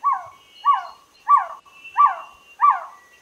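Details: Five evenly spaced trogon calls, each a single soft, down-slurred note repeated about every two-thirds of a second, with a quiet background.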